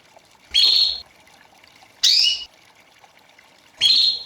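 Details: White Belgian canary in the classic campainha (bell) song style, used for training and warming up canaries after the moult; three short, bright chirping bursts about every one and a half seconds, with quiet gaps and faint background hiss between.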